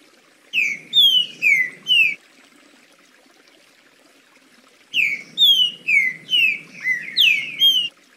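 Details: Green-winged saltator (trinca-ferro) giving its smooth 'liso' song: a short burst of four falling whistles, a gap of nearly three seconds, then a fuller phrase of seven clear slurred notes. A low background rumble sounds under the singing.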